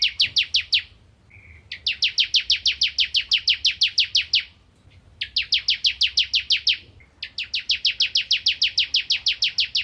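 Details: Bar-winged prinia (crystal prinia), a bird of rice fields, singing actively as a tutor recording for white-rumped shamas: four long bursts of rapid, even, sharp chipping notes, about three per second, separated by short pauses and a faint low note.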